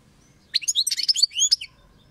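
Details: A European goldfinch sings one brisk phrase of high, liquid twitters and rapid slurred chirps lasting just over a second, crisp against a quiet background.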